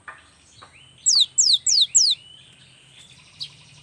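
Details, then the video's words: A young cinereous tit gives four loud, evenly spaced downslurred whistles, each sliding from very high to lower pitch, with quiet gaps before and after. "SUARA yang PALING DI SUKAI BURUNG GELATIK"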